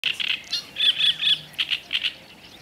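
Black-necked grebe giving high, squeaky notes in quick bursts: paired chirps, a longer rippling trill, then more rapid doubled notes.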